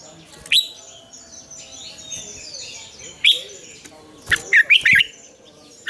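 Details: Red-whiskered bulbul morning song for training other bulbuls, in mature wild double-note style: scattered single sharp notes, then a fast run of four loud bubbling warbles, with faint chirping behind.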